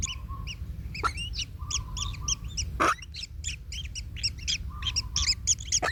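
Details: Baby kingfishers in their nest while a parent tramples a chick, causing it pain: quick rasping notes repeated in a busy chorus, a thin steady hum at times, and a few sharp knocks from the nest.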